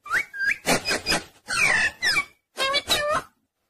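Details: Talking pet parrot giving a rapid string of whistled, rising notes and rough, voice-like syllables, about one per second, with a short pause before two final warbling phrases.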